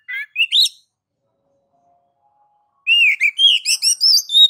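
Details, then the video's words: Kacer (oriental magpie-robin) master song in the ngeplong style: a few brief upslurred whistles, a two-second gap, then a loud flowing phrase of varied clear whistles and slurs. "MASTER DASAR KACER NGEPLONG MEMANCING KACER AGAR CEPAT BUNYI GACOR Birds Song Kacer"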